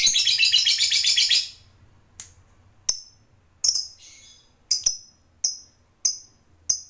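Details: Lovebird fighter chatter for provoking rivals: one and a half seconds of dense buzzy chattering, then quiet broken by single sharp high chips, roughly one every half second.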